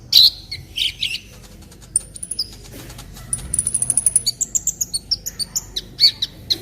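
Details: Olive-backed sunbird tutor song (masteran kolibri ninja): a few rough chirps, then thin high whistles and a fast, very high trill of rapid notes that steps down and ends in sharp single chips.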